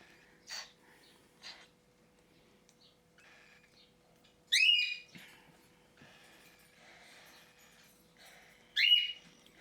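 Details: Cockatiel chick reacting to a feeding syringe during its first short hand feeding after removal from the nest box: scattered soft raspy chirps, then two loud, harsh wheezing begging bursts several seconds apart.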